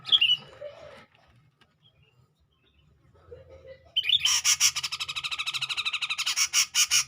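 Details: Grey-cheeked bulbul in full, clear song to provoke a rival, 2021: a short whistled note and low warble, a pause, then a long harsh buzzy chatter of rapid pulses, about three per second, speeding slightly toward the end.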